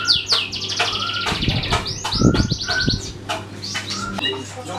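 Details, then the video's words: Canary, sung as a lure to make other birds sing: fast buzzy trills and repeated high slurred notes, interrupted by low muffled thuds, with a constant low hum behind. "Suara kenari buat pancingan burung lain"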